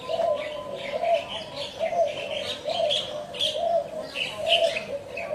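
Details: Spotted dove giving a string of low, rounded coos about once a second, overlaid by busy high twittering from other small birds throughout.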